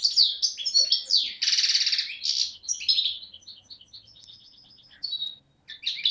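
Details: European goldfinch, a young bird from 2011, Beni Snassen on the Morocco–Algeria border, recorded 8 January 2012; loud tinkling phrases and a rattling buzzy trill give way to softer, spaced high notes, then a final burst.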